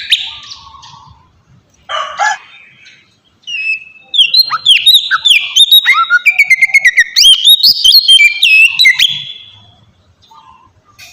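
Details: Oriental magpie-robin lure song for provoking other birds: a few scratchy harsh notes first, then a long bright stretch of quick whistled trills and sliding phrases that fades away at the end.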